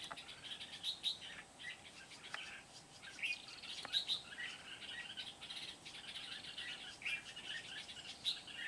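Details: Red-whiskered bulbul used as a trapping decoy at Kim Bôi, Hòa Bình, Vietnam, on 8 September 2019, calling wild birds. Short bright chirps and whistled phrases come at irregular intervals over a steady hiss of insects and outdoor noise.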